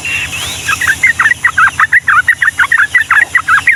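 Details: Trucukan, the yellow-vented bulbul, singing a long rapid-fire Ngombak Banyu song used to train young birds: a drawn whistle opens, then quick bubbly warbled notes tumble out almost three per second with a steady hum underneath.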